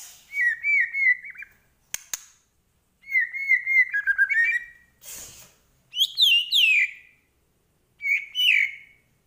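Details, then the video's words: White-rumped shama of the Medan type, in vigorous 'gacor' song full of 'isian' fill-in phrases: clear whistled notes held near one pitch and trilled, then sharper rising and falling whistles in bursts with short pauses, plus a few sharp clicks. "Murai Batu Medan Gacor Full Isian"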